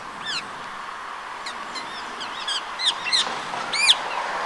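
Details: Rose-ringed parakeet in the town of Empuriabrava, Catalonia, Spain, recorded on 26 January 2022 in winter: harsh, screechy calls given as short, separate, rasping notes, about five across the span, over a steady background hum.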